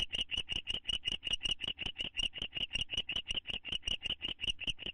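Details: Owls bonding in a nest box, 9 May 2011, one trying to kiss its reluctant mate. Rhythmic, clicking chatter repeats close and loud, roughly every half second or quicker, unbroken.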